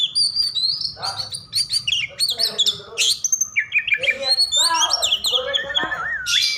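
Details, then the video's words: Over-excited Oriental magpie-robin song meant to trigger other magpie-robins to sing: dense, rapid string of warbled whistles, buzzy chirps and upward-sliding notes, loud and nearly continuous. "Kacer over emosi cocok untuk memancing Kacer lain agar bunyi dan gacor"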